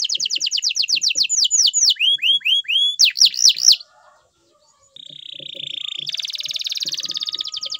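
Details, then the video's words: Singing canary runs a rapid high trill into lower looping slurred whistles and loud swooping notes, then after a pause a pure drawn-out whistle and a dense buzzy trill. "Best Canary Song"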